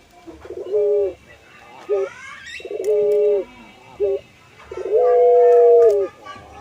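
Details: Puter pelung dove, an ornamental hobby breed kept for its long, flowing voice, nodding as it sings: short low coos alternate with long, steady, level hoots, including one long note that steps upward near the end.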